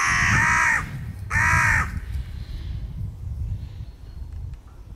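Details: Crow calling during a fight over peanuts at a territory border; two loud, hoarse caws in quick succession, then low rustling and wind-like background noise.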